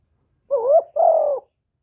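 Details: Spotted dove (cu gáy) giving a 'thổ thúc' style coo. It is one low, hoarse two-part phrase: a wavering first note, then a longer, steady, slightly falling second note. The background is quiet.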